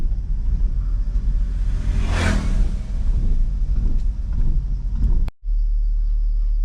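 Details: Deep engine rumble of a vehicle passing close by, loudest midway, then a brief cut and steady low hum.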